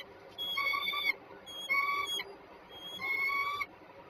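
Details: Peregrine falcons meeting on a small roof at Żerań, Warsaw, Poland, on 14 January 2023; three drawn-out, harmonic wailing calls, each under a second long, come about every 1.3 seconds over quiet background noise.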